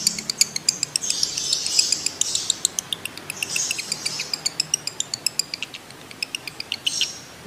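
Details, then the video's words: A lovebird in breeding condition calls in a ngekek chatter of quick, sharp, clicking notes, mixed with bursts of higher twittering and a soft hiss in the background. "PANCINGAN AMPUH LOVEBIRD BIRAHI SAMBUNG NGEKEK"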